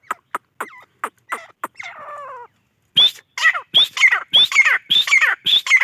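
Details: A grey francolin gives a rapid series of loud, grating calls with shrill upward-sliding notes, preceded by short clicks and a brief wavering squeal.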